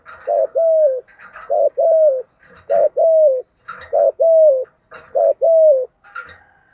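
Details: Spotted dove, 'giọng thổ' style, cooing steadily in 'thúc gù' fashion: a short note then a drawn-out sliding coo, repeated about once a second, over soft background chirping of small birds.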